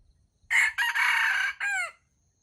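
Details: Jungle fowl rooster from the wild crowing to compete near a baited trap. One loud, harsh four-part crow: a clipped first syllable, a brief break, a long level strained note, then a quick downward-sliding ending. Background quiet.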